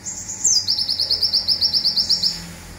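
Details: Zipper-style burst from a local olive-backed sunbird in Indonesia, used to train songbirds: one high falling note then roughly fifteen rapid, metallic chirps repeated at an even pace, trailing off into quiet.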